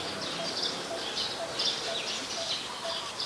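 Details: Adult Common Tailorbird, a common resident in Ubon Ratchathani, Thailand, recorded on 11 April 2022: high, thin notes repeated about every half second, roughly seven in a row, over a steady hiss of background noise.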